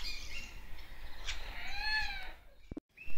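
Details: A captive crimson rosella (Platycercus elegans) at a bird zoo in Denmark, recorded 11 July 2021, "talking" with a person: rich, rising-and-falling nasal whistled notes with a chattering edge over low rumble, then a short high whistle after a break.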